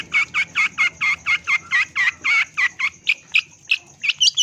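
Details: Long-tailed shrike used as a lure to stimulate and train kept birds: a rapid series of about sixteen harsh, buzzy, evenly spaced notes, a few per second, rasping in the mid-high range, with faint background hum.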